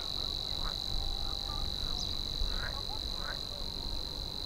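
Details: Savi's warbler in Hania's Polder, Nieuwe Dordtse Biesbosch, Netherlands, filmed through a Swarovski ATX 95 spotting scope. A continuous, even, high buzzing reel runs unbroken throughout, with faint short chirps from other birds and a low background rumble.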